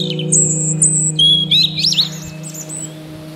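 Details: European robin singing: high thin whistled notes near the top of its range, then a quicker run of varied, warbling twitters, all over a steady low droning hum.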